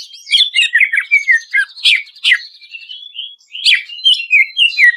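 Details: Greater green leafbird song used as a lure for stressed birds: varied chirps and short whistles in quick succession, a thin held whistle near the middle, then sharp rising and falling notes.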